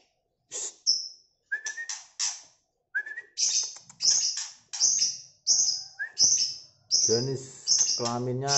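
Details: Male White-rumped Shama of the Medan type that has molted twice, singing a string of sharp high chips and clipped notes with a few short rising whistles in between. A man starts talking over the last second and a half.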